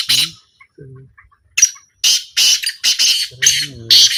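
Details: Black francolin during a small 2025 trial, uttering rapid grating, hoarse notes in a quick sequence, with brief low voice-like sounds in the background.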